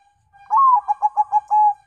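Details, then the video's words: Zebra dove of Bangkok local crossbreed stock, recorded as a lure: one phrase of a long sliding opening coo, four short clipped notes, then a sustained closing note, all clear against a quiet background. "PANCINGAN PERKUTUT BANGKOK LOKAL (CROSING SILANGAN)"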